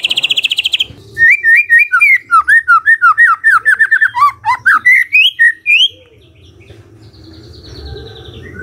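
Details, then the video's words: Magpie-robin morning song, used to prompt a quiet bird into answering: a rapid run of bright whistled notes around the same pitch, some rising and some falling, about two per second. A short buzzy trill comes first, then the song ends in faint background hiss. "Pancingan PAGI PAGI AGAR MURAI GACOR❗ murai diam pasti ikut NYAUT❗❗"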